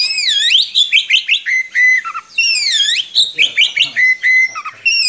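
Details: Young birds' tutor song of an Oriental magpie-robin: deep swooping whistles alternating with rapid stuttered notes and held level whistles, loud and fluent throughout.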